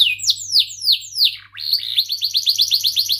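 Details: Canary in full 'ngerol' rolling song: four loud, slow descending whistled swoops, a short drop, then a fast even run of repeated rising-falling chip notes to the end, backed by a faint hum.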